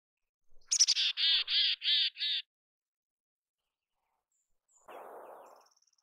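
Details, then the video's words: Mountain chickadee in natural habitat giving rapid chips followed by four evenly spaced, harsh buzzy 'dee' notes. After a silence comes a brief low rustling noise. "Canção do Chickadee da montanha! Mountain Chickadee Sounds! Chamada do Chickadee da montanha!"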